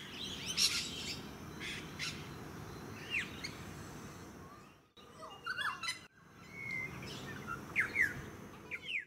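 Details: Noisy friarbird in a eucalyptus tree in a suburban park on the Sunshine Coast, Queensland, in July, giving harsh, raspy bursts and short scratchy chirps at irregular intervals over steady background hiss and suburban noise.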